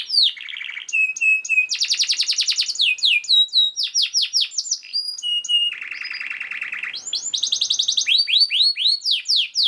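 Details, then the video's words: Canary singing a master song for training other canaries: varied tours of rapid high trills, swept whistles and flat whistled notes, plus a low buzzy roll, changing phrase every second or so. "KENARI GACOR SPEED RAPAT UNTUK MASTERAN KENARI ANDA"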